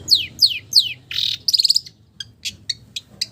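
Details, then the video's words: Long-tailed shrike singing with mimicked village bird calls: three falling whistled slurs, a harsh buzzy note, a fast rattle, then scattered short sharp chips. "SUARA BURUNG CENDET ISIAN BURUNG KAMPUNG"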